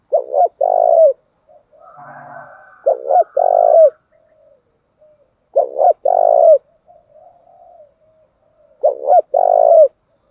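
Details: Spotted doves of both sexes cooing to stimulate trained doves. Four low phrases, each short stammered notes and then a long coo falling at the end, with a brief rough scratchy burst and soft murmurs in between.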